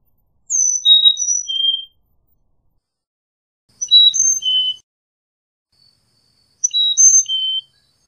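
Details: Carolina chickadee singing three whistled four-note phrases, each a clear high note followed by lower, alternating tones, spaced about three seconds apart.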